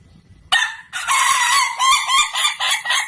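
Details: Ayam Ketawa chicken crowing, harsh and broad-toned, opening with an abrupt short burst, then a sustained ragged call that wavers in loudness for over two seconds.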